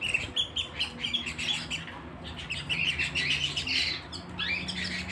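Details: Indoor canary singing: chattering chirps and trills, then clear downward-sweeping whistled notes near the end, with a faint steady low tone in the background.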